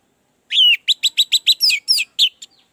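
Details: Lure recording of an orange-headed thrush for birds that are reluctant to sing: a loud clear whistled note, then a quick string of bright repeated chirps turning into sweeping slurred notes.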